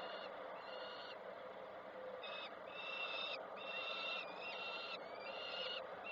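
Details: Koszalin nest, 3 June 2024: a peregrine falcon mother arrives and feeds her chick; a series of hoarse, strained wails, some ending in a downward slide, repeats roughly seventy times a minute over a continuous hiss.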